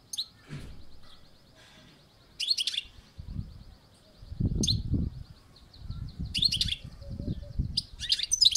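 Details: European goldfinch on a balcony, short bursts of high twittering chirps over a thin sustained whistle, with low muffled thumps and background noise between phrases.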